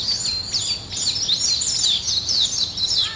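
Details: Early-morning birds give a busy stream of high, swooping chirps and trills, notes rising and falling quickly in an unbroken chatter.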